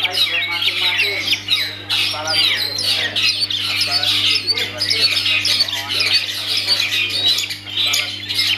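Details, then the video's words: Long-tailed shrike owned by a bird keeper, performing a vigorous varied song of fast chirps, squeaks, harsh notes and whistled slurs, dense and continuous, with a low electrical hum throughout. "Aksi Cendet"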